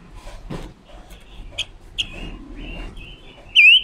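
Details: Female decoy red-billed leiothrix training its song, a sound used to lure wild birds into traps. A scatter of soft high whistles and sharp clicks builds to one loud warbled note at the end, with faint background rustling.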